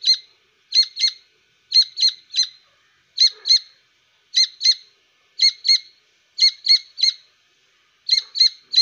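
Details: Grey francolin (Francolinus pondicerianus), chick call.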